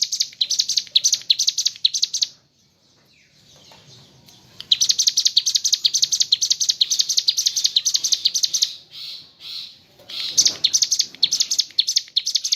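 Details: Cigun, or mountain leaf warbler, singing 'gacor ngebren' with kapas tembak fill: bursts of fast, thin, high chirps, a two-second silence, then long runs of rapid chattering notes with a brief lull near the end.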